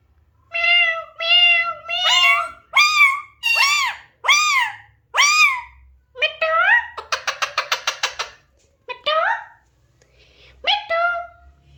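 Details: Alexandrine parakeet vocalising: a run of about nine loud, harmonic, arched notes rising and falling, spaced roughly half a second apart, then a rapid buzzy rattle and a few scattered harsher notes, in an otherwise quiet setting.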